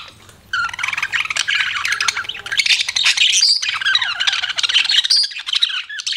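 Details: Pet budgerigar chattering continuously: a dense stream of fast scratchy chirps, squawks and short whistles with barely a pause.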